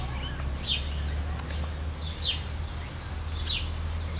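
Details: Maroon-bellied parakeets of the subspecies frontalis taking a bath in the summer heat of Brazil: three sharp, scratchy high calls spaced over a second apart, with a constant low hum underneath.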